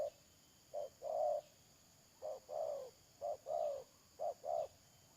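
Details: Trapping decoy spotted dove, 31 May 2022: four coo pairs, each a short soft note then a longer falling croon, spaced roughly a second apart, over a faint constant high hum.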